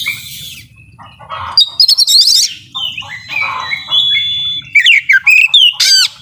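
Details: Oriental magpie-robin performing a 'nembak full isian' song: loud, varied whistled phrases with slurred rising and falling notes and rapid chirping bursts, some notes strongly repeated, over a steady low hum.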